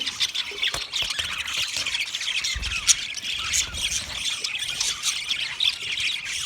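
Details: Budgerigars chattering as a group, a dense stream of rapid high squeaky chirps and warbles running continuously with scattered sharper squawks and low thumps.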